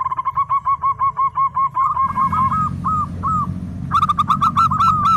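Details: Local zebra dove singing: a long, steady series of rapid clipped coos, then slower spaced notes, then a louder quickened run with extra rough overtones, all over a low rumbling background.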